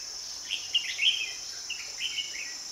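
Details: Red-whiskered bulbul singing during the trapping of wild birds on 2 May 2020: short bright warbled and chirped phrases in several bursts, with a steady high insect drone throughout.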